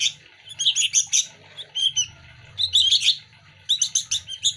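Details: Young sooty-headed bulbuls beg as they are hand fed, each chick competing for food. Clusters of shrill, squeaky chirps break off into brief pauses, and a low rumbling murmur runs beneath.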